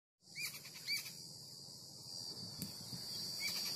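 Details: A babbler chick, still unable to fly, gives a few short, squeaky begging chirps in quick succession, over a steady high hiss of insects or background noise.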